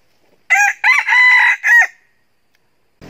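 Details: Decoy red junglefowl rooster crowing to provoke and lure wild roosters; a single strong crow in four segments, the long held middle section then a short final drop, followed by quiet and a brief knock at the end.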